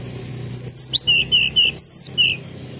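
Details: Sunda robin sound for luring: spaced, clean whistled notes, a high downslur, a sharp upward flick, then several level whistles and a final high drawn-out note with a short slur.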